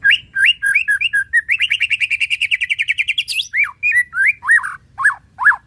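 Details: White-rumped shama singing over gentle water sounds: looped whistled phrases, then a fast trill of about twenty even notes rising slightly, ending in clear downward-swooping whistles.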